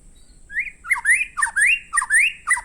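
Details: White-rumped shama in full song: a quick series of bright whistled phrases, each a short rising slur followed by sharp chipping notes, repeated about every half second.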